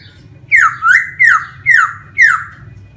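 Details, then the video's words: Wild laughingthrush repeating a sharp, squawky downslurred whistle five times, roughly every third of a second, each note falling and then rising, with a low hum underneath. "CHIM KHƯỚU RỪNG HÓT CỰC HAY"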